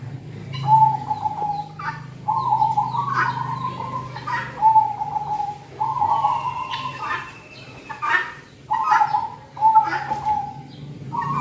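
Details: Cold-season luring song of a zebra dove (merbok kampong): a long series of about seven rolling, trilled coo phrases in quick succession, some clipped short, with faint background clicks and rustles.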